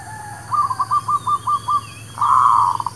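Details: Zebra dove, merbuk kampung, lure sound for trapping: a string of about seven short evenly spaced coo notes followed by a louder, longer rolling trill, over background hum.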